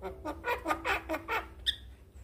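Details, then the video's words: Male Javan myna singing as a tutor for other mynas to copy: a rhythmic run of harsh, buzzy chattering notes, about three per second, ending in a short high whistle; a faint low hum underneath. "JAlak Kebo Jantan Gacor MASsteran Semua Burung Jalak Akan Niru Suaranya"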